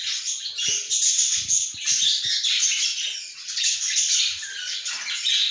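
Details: Mother budgerigar inside the nest with her chicks: a dense, continuous wash of raspy, squeaky chattering, high-pitched and overlapping throughout, with a few soft low knocks and rustles beneath.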